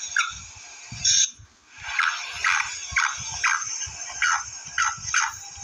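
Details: Female black francolin giving short, harsh, slightly descending notes, repeated about once every half second in an uneven series, over a steady high hiss and low thumping noises.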